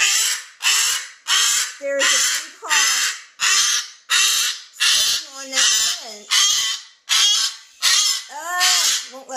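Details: Alarm screams from a male cockatoo that has spotted a hawk. Harsh, raspy screeches repeat steadily about once every 0.7 seconds, with people's voices softly mixed in.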